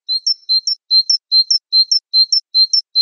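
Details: Java sparrow song from a mastering track: even, regular couplets of a clear lower chirp followed by a higher one, repeated about every 0.4 seconds in a quiet setting.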